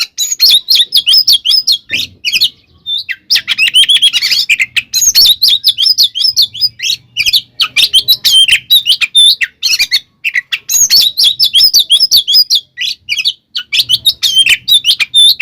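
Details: Fighting song of a gacor Oriental magpie-robin, known as tarung konslet and used to make other kacer angry: a nonstop run of rapid whistled sweeps and chattering notes with only short pauses.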